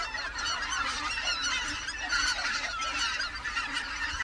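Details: A wintering flock of greater white-fronted geese on the Cheorwon plain, Korea: many birds calling at once in a steady chorus of shrill, quavering yelps and honks.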